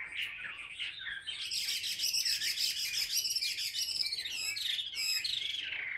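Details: Chinese hwamei, a caged bird singing while held on the hand in the ngũ trường style: a loud, rapid, trilling stream of high, sharp notes that rises in pitch and intensity, with brief buzzy bursts near the end.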